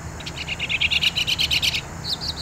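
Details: A Northern Mockingbird singing long and loud from high perches gives a quick run of about a dozen bright, chattering notes, then a few higher, sweeter notes, over a faint low rumble.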